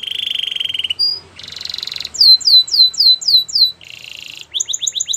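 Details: Training song of a canary: a buzzy rolling trill, a brief note, a harsh rattling burst, then loud repeated descending sweeps, another buzzy roll and a quick run of short chirps.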